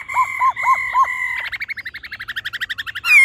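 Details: Female and male laughingthrush singing, the male in a wild, mature-voiced style: three looping whistled notes over a held tone, then a fast even rattle of clipped notes ending in a sharp loud whistle.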